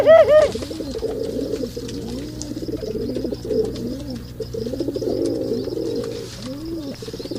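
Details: Male pigeons during mating give a pair of bright notes at the start, then a steady run of low arched coos with soft rattling sounds behind them.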